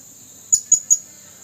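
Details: Male blue-crowned hanging parrot with a red throat, used as a lure bird, calling to wild companions on 27 August 2021. Three sharp, very high-pitched 'tsit' notes come in quick succession, about 0.2 seconds apart, over a steady high insect-like whine.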